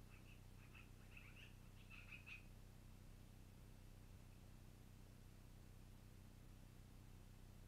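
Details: At a long-eared owl nest, evening of 12 April 2018, a burst of shrill, scratchy squeaks runs for about two and a half seconds and then falls quiet, with a constant low hum underneath.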